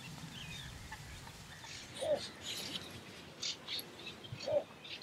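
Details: Little bittern in the Harchies marsh, Belgium, in July 2014: short, low, gruff barking notes, two heard about two and a half seconds apart, over faint marsh background with distant higher bird sounds.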